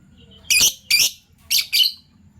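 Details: Morning chirping from Fischer's lovebirds of violet and gold opaline euwing colour forms: four loud, rasping, high-pitched chirps in two pairs, each note short and harsh, over faint low background hum.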